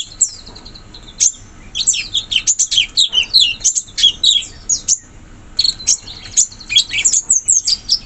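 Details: Wild sooty-headed bulbul in forest: a busy run of quick, chirpy whistled notes that bunch into rapid bursts, a short pause near the middle, then more sharp twittering phrases.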